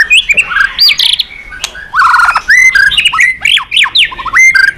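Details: White-rumped shama song used as a training recording to provoke other birds to sing: loud varied whistled phrases with rising and falling slurred notes, mixed with harsh buzzy bursts and sharp clicks.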